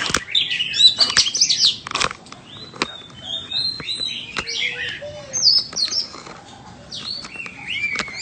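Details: White-rumped shama delivering short whistled phrases, some sliding up or down, mixed with sharp clicks and a few lower mellow notes, separated by brief gaps.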